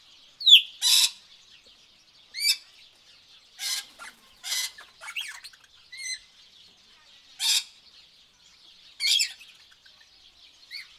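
Birds give scattered high calls: sharp whistled slurs and buzzy, noisy chips at irregular intervals, with a faint high trill running throughout.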